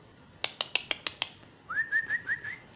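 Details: A young female common myna in Israel, a talking pet rescued as a fallen nestling, gives six sharp clicks about every 0.15 seconds, then a run of five short rising whistled notes, in a quiet room.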